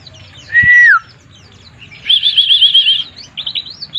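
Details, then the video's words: White-eye, 'mabuk' song: a clear level whistle that drops at its end, then a rapid wavering trill on a higher pitch, followed by short scattered chirps. "burung pleci mabuk"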